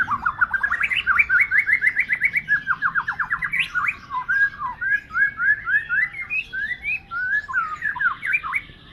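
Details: White-rumped shama in full chattering song, opening with a fast run of about twenty identical down-slurred whistled notes, then shifting into varied rising whistles and sharp flicking phrases, clear over a quiet background.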